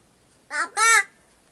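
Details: Pet crow in Gargaon, Wada taluka, Palghar district, that sits on people's shoulders and speaks Marathi like a human: two hoarse, harsh syllables in quick succession, the second longer and stronger, like "kaka", in a quiet room.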